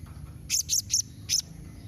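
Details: Blue-crowned hanging parrot in a 'nembak mbeset' calling combination used to prompt other birds to reply: three quick, piercing high chirps, a brief gap, then one more, over a faint low hum.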